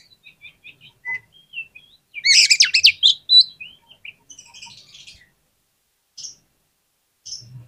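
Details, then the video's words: Oriental magpie-robin song as a prompt for silent birds: soft varied chirps and whistles around a loud, dense, buzzy rattling burst in the middle, then sparse faint notes. "PANCINGAN KACER PALING AMPUH UNTUK RANGSANGAN KACER YANG MALAS BUNYI AGAR CEPAT NYAUT"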